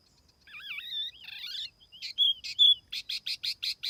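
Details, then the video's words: Lure song of a tiểu mi laughingthrush, recorded clean: wavering warbled whistles, then loud bursts and a steady series of six short rapid notes at the end. "TIẾNG CHIM TIỂU MI MỒI KHÔNG TẠP ÂM CỰC CHUẨN"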